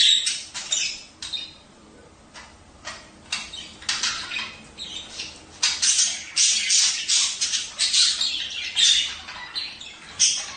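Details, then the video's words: Budgerigar song played to encourage mating: dense run of rapid, clicking and buzzy chatter notes, loud bursts repeating more than once a second after a quieter opening. "تحفيز البادجي على التزاوج"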